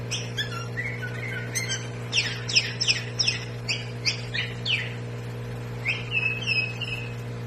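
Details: Sooty-headed bulbul of a rare form known locally as kutilang batik: scattered bright, downward-slurred notes and chirps in loose bursts, with a short whistled phrase near the end, over a constant low electrical hum.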